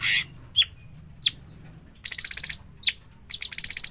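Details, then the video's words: Young bulbul calling: a harsh opening burst, then single sharp downslurred chirps between two rapid rattling series of about eight pulses each, over a quiet low background hum. "burung cucak cungkok trotolan"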